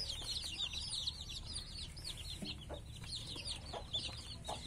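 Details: Khmer chicks peeping in a group: dense, overlapping high-pitched cheeps, many short downward-slurred peeps repeating rapidly and continuously, with a few lower clucks and a low background rumble.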